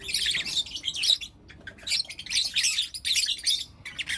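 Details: Lutino lovebirds, four young birds kept as pets, chirping in the morning: bursts of harsh, buzzy, high chattering notes in rapid clusters separated by short pauses.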